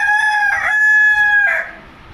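A Leghorn rooster gives one loud, strained crow lasting about two seconds, harsh at the start, then a long steady held note, then a rough falling end.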